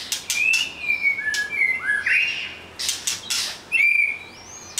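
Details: Whistled song of a white-rumped shama: long sustained level whistles, a short warbled flourish, sharp clicks and a falling whistle near the end.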